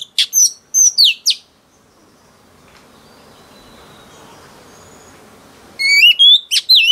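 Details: Newly caught female oriental magpie-robin singing to stimulate males: a few sharp whistled phrases, then several seconds of faint hiss, then swooping whistled notes return.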